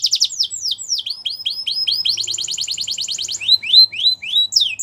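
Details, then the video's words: Canary song opening with quick downward-sweeping notes, moving into a dense rapid trill, then a series of bright upslurred chirps and a few louder sweeps at the end. "Canary Chirping Sounds"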